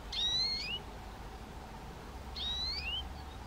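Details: Eurasian nuthatch (Sitta europaea), a common songbird of woods, parks and gardens, giving two short sharp calls about two seconds apart, each a high whistled note with a slurred rising tail, over a low steady background rumble.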